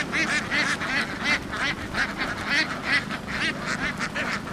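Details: A flock of laying ducks in Vietnam running across a field onto a boat quacks almost continuously, with harsh, nasal calls overlapping several times a second and a steady background hum.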